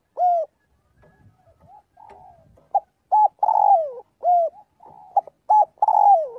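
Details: Spotted dove calling to its flock during daily voice practice: low, mellow coos, some short and steady, others long and sliding downward, given in irregular bursts, with faint softer cooing between phrases.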